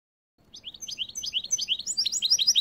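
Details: Goldfinch x canary hybrid in a cage during winter, singing a quick string of sharp, high twittering notes that rise in loudness and speed into a dense chattering phrase.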